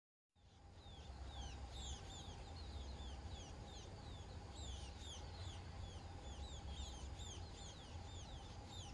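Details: Munia parent feeding its well-grown chicks, which beg with rapid, thin, high chirps, several a second, over a steady low rumble and a faint constant hum.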